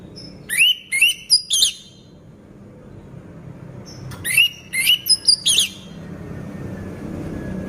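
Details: Orange-headed thrush, a caged bird in moult that keeps singing: two tight bursts of quick, bright whistled notes, each cluster of three to five rapid upslurred and slurred phrases, separated by a few seconds of quiet hum.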